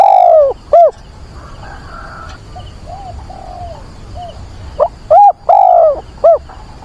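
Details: A decoy dove calls to seek a mate in rain and wind on 24 September, giving loud, low, hollow coos in short arched notes, grouped in bursts with pauses between, over steady rain and wind.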